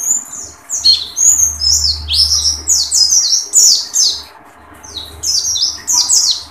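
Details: Pleci (dakun) singing tembakan: a steady stream of sharp, descending high chirps and squeaky notes for about four seconds, a short pause, then another quick run, with a low hum in the background.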